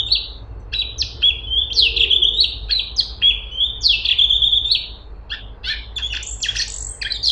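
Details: Straw-headed bulbul (cungkok) in busy song: long wavering whistled phrases in quick succession, ending with a rapid volley of sharp high chirps.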